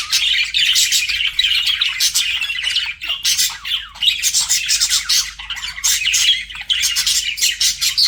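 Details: Budgerigars flirting as pets: unbroken rapid warbling full of raspy clicks and squeaky notes, briefly dipping in volume near the third second.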